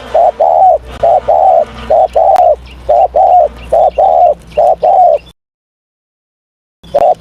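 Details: Spotted dove in morning voice training, giving repeated mellow, low coos in paired short and long notes for about five seconds, a silent gap, then one more coo.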